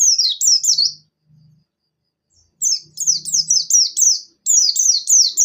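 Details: Buxtoni Javan white-eye in gacor 'nembak' song used to stimulate wild-caught birds: repeated strings of high sweeping downslurs broken by a pause, with faint low humming in the gaps.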